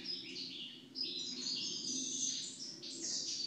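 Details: European goldfinch singing after its moult: a fast, unbroken stream of tinkling, liquid twitters and buzzy trills, pitched high, with a faint low hum underneath.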